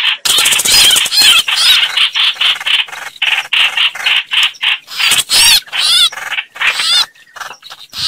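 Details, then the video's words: Lure recording of chao chảo birds for trapping: long run of harsh chattering notes in uneven bursts, broken by squeaky, wavering squeals. "Tiếng Chim chao chảo"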